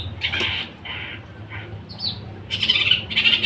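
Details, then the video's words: Long-tailed shrike singing in the trotol fighter style: harsh, raspy bursts of scratchy chatter, each under half a second, in an uneven series with short gaps. A louder, denser run of rasping notes closes the sequence over a faint low hum. "BURUNG CENDET TROTOL FIGHTER"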